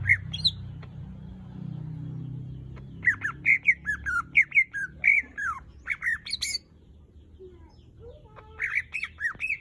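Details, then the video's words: Greater green leafbird singing actively: after a low hum, a run of varied short whistled notes and slurred chirps, some rising and some falling, delivered in quick bursts with brief pauses, plus a few sharp high ticks. "Cucak ijo gacor buat pancingan"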